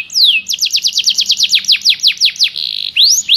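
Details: White-rumped shama master recording for training songbirds: a loud run of clear whistled notes, each sweeping sharply downward, repeated in quick succession about three per second, broken by a short buzzy trill and ending with rising whistles.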